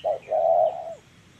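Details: Spotted dove used in trapping with a decoy, a short low coo followed by a longer sustained coo that drops at its end.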